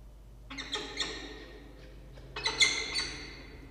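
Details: Falcon calling at its nest, filmed by a nest camera on 6 October 2023 in late afternoon, two newly hatched chicks present; two bursts of grating, scratchy notes, the second louder and higher, ringing slightly in the enclosed space.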